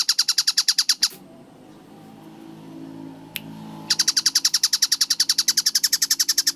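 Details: Tengkek buto (kingfisher) masteran recording dated 4 August 2026, described as clear and fast-paced: a second of rapid harsh chattering notes, then nearly three seconds of near-silence with a single sharp click, before the rattling series resumes at about three notes a second.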